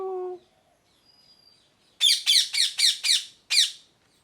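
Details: Brief tonal note and a faint thin whistle, then a parrot bursts into six loud, grating squawks, five in quick succession and a final one after a short pause.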